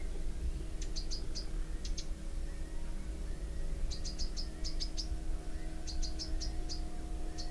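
Bronze sunbird giving quick bursts of high, thin, metallic chips in clusters of three to five, over a steady low hum and rumble.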